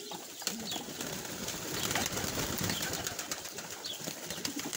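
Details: Low, soft pigeon coos from Saudi Arabian pigeons at a pigeon farm murmur beneath a constant hiss and scattered clicks and flutters from a busy loft.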